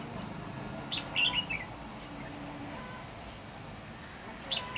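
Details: Red-whiskered bulbul used as a lure bird in trapping on 8 December 2015, singing competitively: a short burst of bright, warbling notes, then quiet, then one more note at the end, over a steady low background hum.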